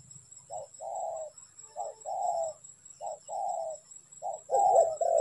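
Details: Spotted dove cooing at a trapping site, a soft low rumble at the start, then paired short-and-long coos repeated, growing louder toward the end, with a high background hum.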